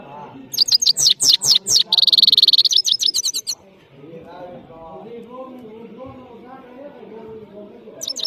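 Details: European goldfinch from Parachinar, locally saira, singing: rapid high chirps, a dense buzzy rattle in the middle, more twitters, then low murmuring background and a last short chirp.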